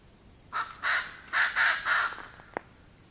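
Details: Koklass pheasant from the forests of Kashmir and the Himalaya, known for calling in the morning; a series of five loud, harsh, throaty notes in about two seconds, then a sharp click.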